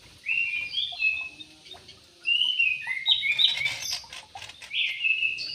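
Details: Several bubbling, warbled bulbul phrases in an aviary of Yellow-vented bulbuls, the phrases overlapping with sharper chirps and chattering notes toward the end.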